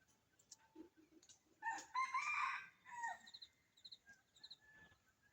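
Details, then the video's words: Low clucking notes, then a bold, harmonic crow ending in a downward slur, from one of several wild red junglefowl calling to each other at dawn in winter from woodland beside a home; small birds chirp afterwards. "সকালে বন মোরগীর ডাক"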